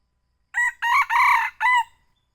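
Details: Young red junglefowl crow used as a lure call (suara pikat selang 2), from Bukit Tinggi: a loud four-part crow, a short opening note, two longer harsh syllables, then a final drawn-out note, with silence around it.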